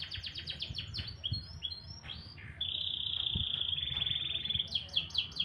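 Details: Canary morning song: quick descending chirped notes, a few swooping whistles, a long bright sustained trill, then renewed fast repeated chirps.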